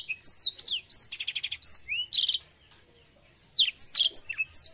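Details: High, lively canary song with looping whistled phrases and dense buzzy trills, a second of near-silence midway, then resuming with sharp chirps and slurred whistles.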